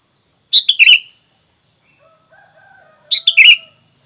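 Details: Bulbul lure sound, sooty-headed bulbul: two bubbly chattering phrases of quick descending notes about two and a half seconds apart, with a faint thin whistled tone in the gap.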